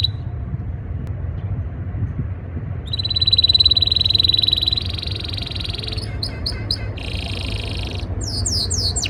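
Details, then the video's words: Canary singing during breeding season to impress a female: after near silence, a long, loud, even high trill rolls for several seconds, shifts to a second rattling trill, and ends with rapid downward sweeps. "Most powerful Canary singing | breeding season | trying to impress female Canary"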